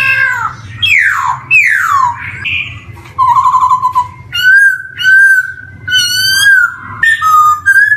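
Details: Lure song of a black-throated laughingthrush for young birds just starting to sing: loud downslurred whistles, a trilled passage, then a sequence of steady level whistled notes with short pauses, soft hum beneath.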